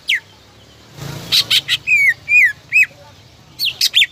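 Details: Greater green leafbird song used to provoke rival birds into singing: varied loud whistled notes, sweeping downslurs and sharp chips in quick bursts, with a brief noisy patch near the start.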